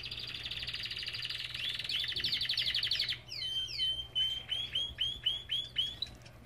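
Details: Belgian canary singing in an aviary: a long rolling buzzy trill for three seconds, then a series of bright rising whistled notes repeated roughly four per second; faint low hum.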